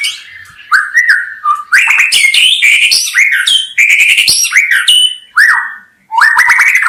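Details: White-rumped shama delivering loud, varied song phrases: short upslurred whistles, flat held notes and clicky high notes, in bursts separated by short gaps.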